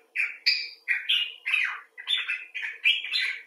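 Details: Common bulbul giving loud, harsh-edged talking notes: about nine emphatic slurred chirps in quick succession, some rising, some dropping, with a slightly squawky tone.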